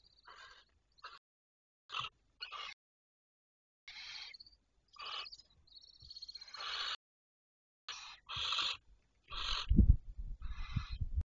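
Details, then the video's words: Barn owls calling at night, 12 May 2023, 23:37: a run of short, rough, hissing screeches at uneven intervals, some brief and clipped, others drawn out, becoming louder toward the end with low rumbling noise. "Chouettes Effraies"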